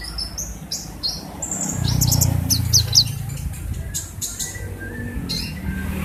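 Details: Kolibri ninja singing energetically in full voice: rapid high, thin chirps and short whistled notes in quick irregular bursts, some sliding upward, over a low rumbling background.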